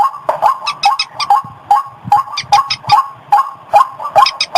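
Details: Lure call of white-breasted waterhen, tested in paddies, gardens and rivers: steady series of short rising croaks, roughly two to three each second, overlaid by scratchy, higher chattering notes.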